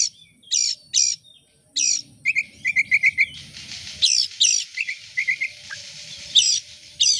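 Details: Oriental magpie-robin, a caged bird, used as a singing lure: harsh buzzy bursts alternating with quick high chirps and trills, delivered in a fast, uneven rhythm.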